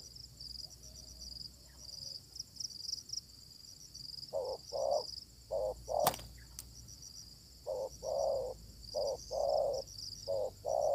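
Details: Spotted dove replying to a decoy during luring. After a quiet start, paired low coos begin, broken by a sharp click, then continue in short-long sets. A continuous high insect drone is present.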